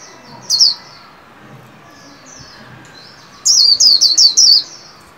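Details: Caged white-eye's líu song during training for the 2021 new year: an early pair of high chirps, soft twittering, then a burst of five fast, piercing, descending notes.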